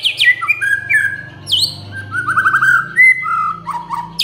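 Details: White-rumped shama singing a provoking song meant to make other shamas answer: clear whistled phrases sliding up and down, sharp downward swoops and a quick warbled run in the middle.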